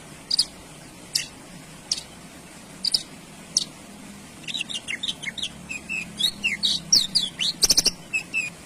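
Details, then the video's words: Male Javan bush lark giving a few spaced, very high short notes, then breaking into a rapid, varied twittering run of chirps and slurred whistles in the second half. A low background hum runs throughout. "Suara Branjangan Jantan"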